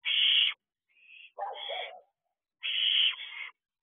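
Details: Two barn owl owlets on the perch of an owl box at night, 10:23 pm on 6 June 2023: three harsh, hissing screeches, the first and last long and bright, the middle one lower and rougher, with clear silent gaps between.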